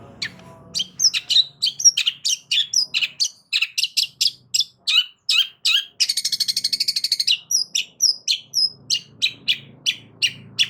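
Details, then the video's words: Loud long-tailed shrike song for drawing a reply from other shrikes: fast mix of sharp chips and whistled notes, a rapid buzzy trill in the middle, over a faint background hum. "Cendet DIAM Pasti Tak Tahan Dan MERESPON Gacor Bongkar Isian Dengan Suara Kicauan Cendet KERASini"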